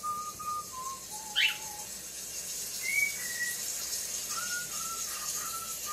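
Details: Male talking cockatiel kept as a pet, seeing himself on a screen for the first time, recorded by phone in a dim room; short flat whistled notes in a loose series, broken by one loud chirp and a higher double whistle.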